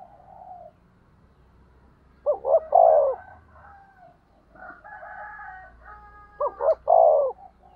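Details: Decoy spotted dove calling to stir up rivals. It gives two low coo phrases, each of quick hooked notes followed by a burred drawn coo. A steady low hum and a faint, more distant cooing fill the gaps.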